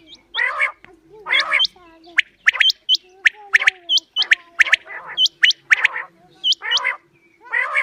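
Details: Quail calls used to lure birds for hunting: short hooked high whistled notes in pairs, mixed with harsh buzzy harmonic bursts, repeating roughly once a second, with a steady low hum behind.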